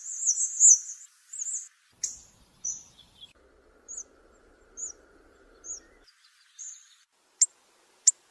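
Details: Hawfinch gives sharp, very high ticking calls, single or in quick short bursts about once a second, with two louder snapping clicks near the end, in a mix of two recordings used for hunting.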